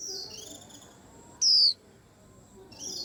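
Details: White-eye, said to stir up a whole rack of birds, gives a single loud, high, downward-slurred whistle, bracketed by softer high twittering notes before and after.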